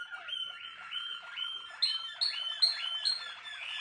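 A Malinois Waterslager canary sings a liquid, bubbling run of repeated rising-and-falling notes, about two or three per second, with brighter high accents later.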